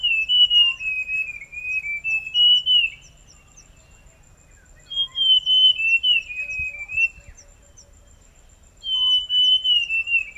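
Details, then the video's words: Forest scrub robin singing: three whistled phrases about three seconds long, each a run of short sliding notes stepping down in pitch, separated by pauses of a couple of seconds, over a steady high ticking insect and a faint low rumble. "Rouxinol da Floresta - Ouça seu lindo e misterioso canto"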